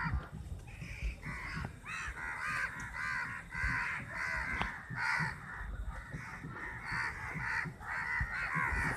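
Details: Dense chorus of crows fighting over a chapati, caws overlapping almost continuously at about a hundred a minute.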